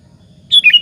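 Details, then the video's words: A sooty-headed bulbul's lure phrase, sung to draw other bulbuls into answering: one short, lively burst of three falling and rising whistled notes, clear and close. "suara PANCINGAN BURUNG KUTILANG BUNYI GACOR satu ini, Pandai memancing EMOSI LAWAN"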